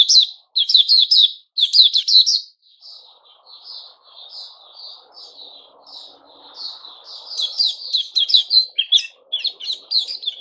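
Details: White-crowned shama kept in a cage during its new-feather season, 6 September 2021. Two bursts of rapid clustered notes open, then softer, well-spaced whistles over faint low background noise, before the song speeds up again.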